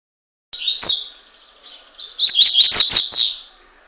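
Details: A double-collared seedeater, one year and three months old, from Montanha, ES, Brazil, sings a fast, forceful song: a burst of high, rapid chirps, then a denser run of quick sharp notes broken by several loud clicks.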